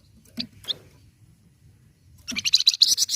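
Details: Flamboyan bird, recorded to stimulate captive birds into song: two isolated high chips, then a dense, rising run of fast, shrill chattering notes that grows louder toward the end.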